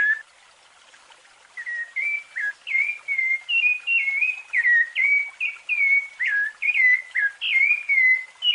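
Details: Rufous-bellied thrush fluted song, used for training young birds: a run of clear whistled phrases, each short note sliding or looping, delivered in a steady flowing series after a brief quiet start, no other sounds.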